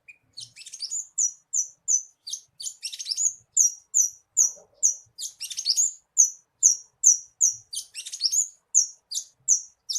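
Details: Lure recording of a bushlark singing, meant to get a captive bird singing: a steady series of thin, high whistled chirps about two or three per second, broken by brief scratchy trills.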